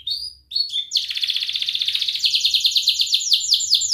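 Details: Canary song used to teach young canaries: a few clear rising whistles, then a long rapid rolling trill of closely repeated high notes, pulsing steadily in loudness.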